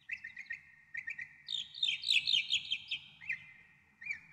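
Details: Northern mockingbird singing a varied, jumbled phrase: paired chirps near the start, then a dense burst of rapid trills and sweeping notes, ending with scattered repeated chirps; faint low rumble beneath.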